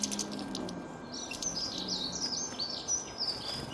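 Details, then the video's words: Songbird pouring out a fast, high, jumbled warble of chirps and slurred notes with no break, over a low steady hiss. "أصوات العصافير تغرد"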